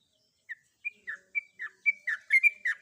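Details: Sooty-headed bulbul female in breeding condition calling to a male: alternating clear whistled notes and slurred chirps, spaced at first, then quickening and overlapping toward the end.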